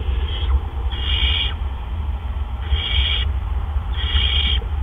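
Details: Barn owl nest in April around 8 PM, adults bringing gophers; three harsh hissing screeches, each about half a second long, spaced over the clip above a steady low rumble.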